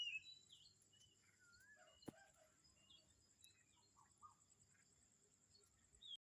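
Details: Morning birdsong at Kamphaeng Saen, Thailand: faint whistled chirps, short rising and falling sweeps and scattered tweets from several birds, over a steady high insect buzz and soft background hiss.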